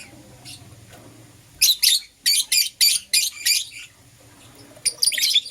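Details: Green Personata and Yellow Pastel Pied lovebirds chirp in the morning: after quiet, a run of about seven loud, shrill, evenly spaced notes, then a short gap and a tight final cluster of squeaky chirps.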